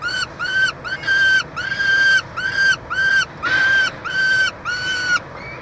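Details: Peregrine falcons at a nestbox at the University of Montreal, Quebec, Canada, 22 June 2023, during feeding of a chick: harsh, nasal, drawn-out calls in a series of about ten, over steady background hum.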